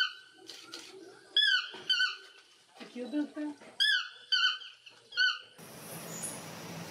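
A toucan gives squeaky, nasal, rich-toned yelps in short bursts, some rising and some falling, with a low murmur and a burst of rushing noise at the end.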